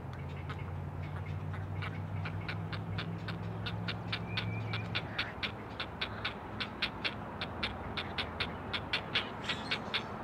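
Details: Great blue heron chicks, four on a Chesapeake Conservancy cam nest calling to their mother, produce faint ticking clicks that grow clearer later, while a low droning hum dominates the first half.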